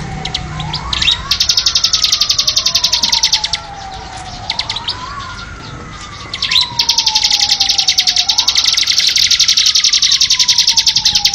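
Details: Bar-winged prinia delivering quick chattering bursts of sharp high notes, stopping for about three seconds mid-recording before resuming louder, used as training song for captive birds. A looping siren-like wail sweeps up and down underneath.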